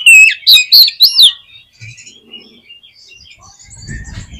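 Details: Oriental magpie-robin (kacer) song, used as a lure to fire up a pet magpie-robin into singing its full repertoire: a loud burst of rich, looping whistles lasting about a second, then faint scattered notes and low rumbling.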